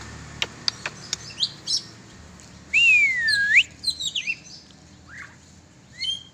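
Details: Oriental magpie-robin let out to fly; scattered high ticks and chirps, then a long loud slurred whistle that dips and rises, followed by short twittering notes fading out.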